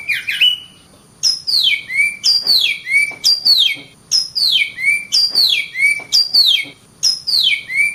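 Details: Kacer (Oriental magpie-robin) in steady full song, repeating a loud downward-sliding whistle about once a second, each phrase finished with a short upturned note, with a brief gap near the start.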